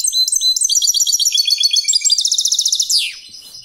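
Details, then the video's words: European goldfinch competition song, dense fast twittering with repeated high chirps about four per second, rising into a rapid rattling trill before a buzzy ending. "chant de Chardonnerêt de concour top"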